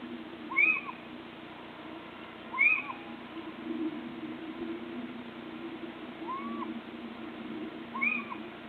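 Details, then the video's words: Little owl calling out of view on 26 March 2014: short arched, mewing calls paired with sharp higher notes, repeated about every two seconds, with a continuous low hum behind. "Steenuil roepen 26 maart 2014 (little owl)"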